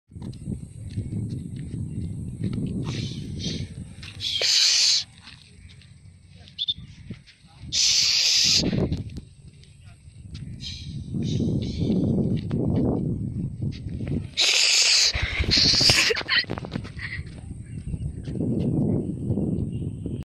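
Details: A free-flying sun conure gives loud, harsh, rasping screeches in a few separate bursts, with people talking between them.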